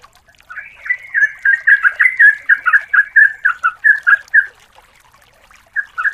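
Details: Female yellow-vented bulbul calling to the male, used as a lure: a fast run of bubbly, slurred chattering notes, roughly two per second, breaking off after four seconds before two more notes.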